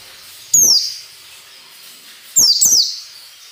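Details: A white-eye gives ngalas nembak song meant as training audio for captive birds: one shrill descending whistle, a pause, then two more in quick succession.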